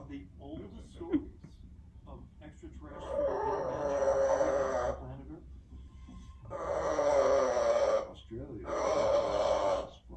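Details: Amazon parrot making an eerie, scary-sounding vocalisation: soft breathy rasps at first, then three long, hoarse, groaning bursts lasting one to two seconds each, indoors.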